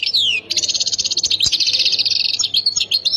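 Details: European goldfinch, Khemis Miliana area in Ain Defla province, opens with a descending whistled slur, then delivers a dense, buzzy, high-pitched twittering phrase that runs on without a break; low hum underneath.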